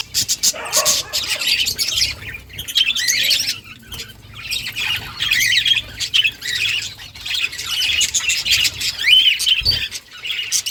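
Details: Caged breeding colony of Australian budgerigars kept at home, many birds chattering at once in dense, scratchy, high warbles and squawks that swell and fade in waves, with short quieter gaps.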